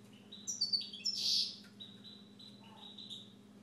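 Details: Owner's Siberian goldfinch: quick cluster of bright, tinkling chirps followed by a harsh buzzy burst, then a string of short, high whistled notes at an even pace, with low background hum.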